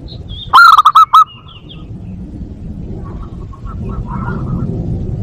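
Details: Zebra dove calling for luring and breeding stimulation: a brief loud cluster of about four rapid staccato coos, followed by softer distant dove-like notes and a steady low background rumble.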